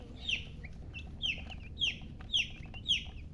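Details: Chicks chirping, five bright, high peeps that sweep downward, spaced about half a second apart, each standing out over faint background peeping and a quiet low hum.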